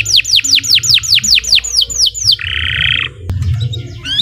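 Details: Indonesian (nusantara) canary in long, lively song used for training other birds: a string of about ten quick down-slurred whistled notes, then a dense buzzy trill, followed by further varied sharp notes and rising whistles.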